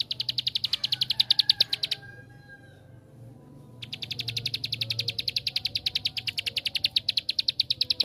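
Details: Bar-winged prinia (ciblek sawah) giving a 'tembakan' lure song meant to provoke other prinias to sing: a high, fast ticking trill, stopping for about two seconds, then resuming for four more seconds over a faint low hum.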